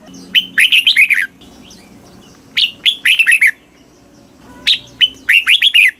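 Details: Red-whiskered bulbul song in Thailand, southern master style played to rouse caged birds: three quick phrases of loud chirping whistles, each opening with a sharp note followed by a bubbly, descending warble, spaced about two seconds apart.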